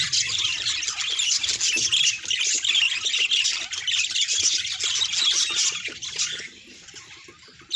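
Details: Pet budgerigars chattering, calls presented as signs of emotion: busy, overlapping high twitters and squawks that run steadily, then fade quickly to near quiet in the final second or so.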